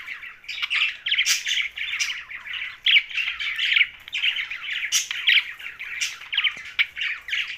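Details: Young budgerigar chirping and squawking continuously, harsh buzzy chatter in dense bursts with brief pauses, loud throughout.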